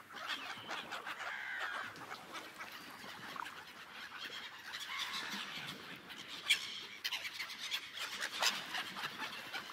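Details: Seagulls gathered on an ice lake give a dense chorus of overlapping squealing and mewing calls, with louder sharp cries near the end over a constant hiss.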